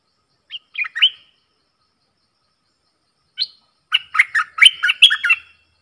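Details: Caged decoy bulbul answering wild birds in a singing contest, dated 03/10/2564 in the Thai calendar. Brief liquid notes open, then after a pause comes a fuller phrase of fast, jumpy, chattering whistles in a quiet setting.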